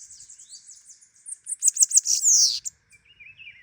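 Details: Singing bananaquit: soft, very high sibilant twittering that builds into a loud, fast burst of buzzy, hissing notes, followed by a lower thin trill.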